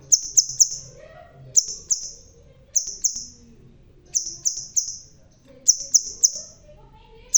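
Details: Crimson sunbird, a red-tailed bird that is bald yet still singing vigorously: sharp, very high notes in quick bursts of two or three, each trailing into a thin fading trill, repeated roughly every second with quiet gaps.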